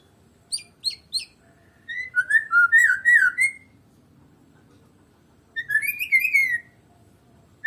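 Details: White-rumped shama of the Medan type, singing without a rival bird: three sharp downslurred whistles, then a rich warbling run of slurred notes around mid-pitch, a pause, and a second warbled phrase.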